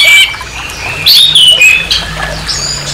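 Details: Harsh provoking song of an orange-headed thrush: a quick, varied run of bright whistles and scratchy sliding notes, loudest in the first second and near the middle, above a faint low droning background.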